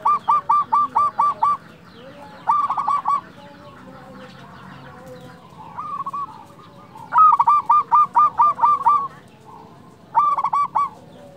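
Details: Zebra dove of local stock singing loudly to lure and stir up quiet or stressed doves: bursts of rapid staccato coos, each burst of five to eight notes, separated by short pauses and soft background notes.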